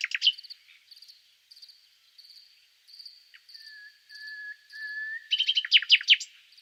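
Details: Soft nightingale song: quiet, high sustained whistles broken into short pieces, a lower pure whistled tone held for about a second, then a loud, scratchy burst of rapid notes.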